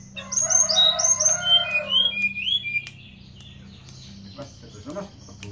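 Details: Blue flycatcher, known locally as teledekan gunung, in full song: a rapid series of high, pure whistled phrases that step downward in pitch over about three seconds, then quieter clicks and faint voices.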